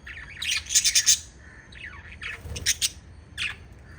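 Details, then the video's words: Five lovebirds chirping together: an opening run of loud, rapid, shrill chirps, then scattered sliding squeaks and another quick burst of sharp notes near the end. "Five Little Lovebirds Chirping Sounds"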